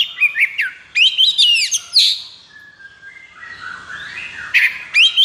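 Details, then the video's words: Oriental magpie-robin (kacer) in high breeding condition singing a 'konslet' style song: loud whistled phrases with rapid up-and-down sweeps and sharp notes, a quieter lower warble mid-clip, then bright notes return. "KACER KONSLET!"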